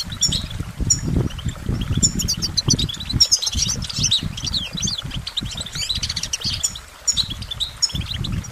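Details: Goldfinch song: high, jangling twitters and chirps delivered in fast, irregular runs, accompanied by heavy low-pitched bumping and rustling throughout.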